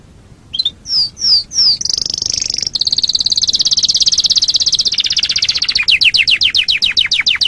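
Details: Canary song recorded as a training master for other birds: a few falling whistled slurs, then a long rapid high trill, ending in a series of quick descending sweeps.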